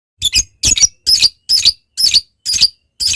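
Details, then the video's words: Lovebird call used as a lure to make a rival lovebird answer: a series of seven harsh, scratchy double bursts of high squeaky chatter, repeated about every half second. "Suara Lovebird Memanggil Lawan Ini, ngetik lanjut ngekek"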